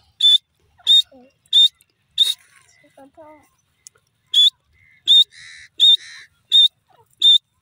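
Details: Loud high whistled notes of a grey francolin in a rapid regular series, broken by a short pause with soft chirps, then resuming at the same pace.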